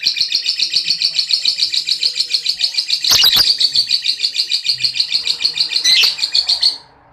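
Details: Lovebird giving ngekek, the long chattering song used to train and stir other lovebirds: a continuous, fast, buzzy rattle of high notes repeated about three times a second for nearly seven seconds, with two sharper squawks overlaid before it stops abruptly.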